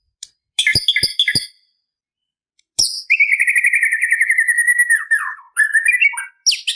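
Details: White-rumped shama singing to challenge a rival: quick clicks and stacked chirps, then a long rattling trill sliding slowly downward, and closing with abrupt twisting whistles and sharp high notes.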